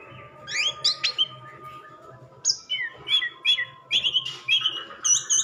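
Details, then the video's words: Anis merah, the orange-headed thrush, gives a varied song of short sharp whistles and chirps in quick clusters, some rising and falling, over a quiet steady background hum. "kicau anis merah"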